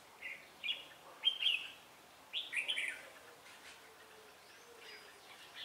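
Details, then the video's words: Red-whiskered bulbul singing during trapping at Ba Thá, Vietnam, on 17 December 2016. The bird is described as quick to respond and switching voices. It gives short, bright warbled phrases in bursts, each lasting under a second, over quiet background. "Bẫy chào mào Ba Thá mau mỏ đảo giọng"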